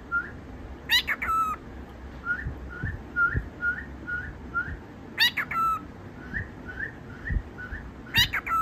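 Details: Pet cockatiel showing off to impress: soft, evenly spaced upslurred whistles in small runs, with three loud, rasping screechy bursts at intervals and faint low background noise.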